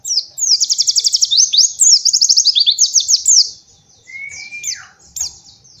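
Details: White-eye master song aimed at young birds learning 'nembak': a long sequence of very fast, even high trill notes, followed after a pause by a long level whistle that falls away and a few sparse high notes.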